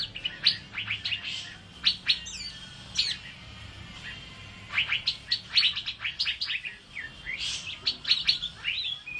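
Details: Asian fairy-bluebird singing actively as a training tutor for birds: clusters of sharp, high chirps and whistled notes with short pauses between bursts, over quiet background hiss.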